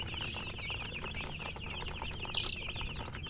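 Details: Several young chicken chicks chirping rapidly, their high, short, falling peeps running together into a continuous twittering chorus over faint low background noise.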